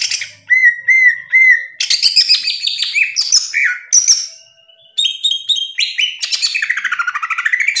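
Greater green leafbird pouring out a rich, varied song: clear whistles, rapid slurred phrases and fast chattering trills, loud and continuous with brief pauses.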